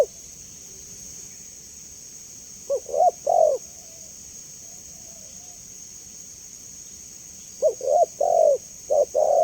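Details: Spotted dove giving clear cooing, used as a lure and training sound for kept doves: two short bursts of low, hollow coo notes, each a quick stutter of three to four notes, separated by a long pause, over a steady high hiss.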